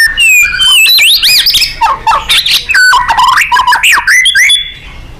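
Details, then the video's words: Vigorous White-rumped shama song in 'nembak' style, used to train contest birds: loud varied whistles leaping up and down, wavering slurs and brisk chips packed closely together, fading at the end. "Murai GACOR & NEMBAK ...FULL POWER & FIGHTER"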